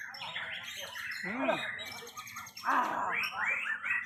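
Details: White-rumped shama singing a rich, varied phrase of sweeping, slurred whistles and rapid chattering notes, with a low steady hum beneath.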